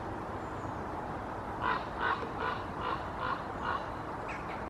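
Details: A common raven flying over the tree canopy in Helsinki, Finland, in October 2022 gives six harsh, nasal croaks in quick succession, about two and a half per second, over a steady hiss.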